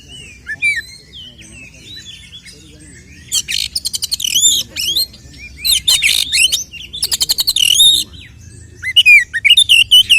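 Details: Provoking fighting song of an oriental magpie-robin ('tarung konslet'): soft warbled whistles, then several dense bursts of rapid ticking and scratchy notes mixed with loud high whistles, ending in a lively run of piercing notes.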